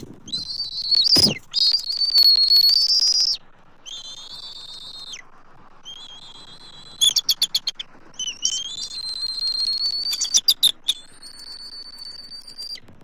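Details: At a Southwest Florida nest tree on 12 March 2024, the adult Bald Eagle pair give high, thin whistled calls and rapid piping chatter in quick bursts as an intruding immature eagle circles the nest, over faint background noise.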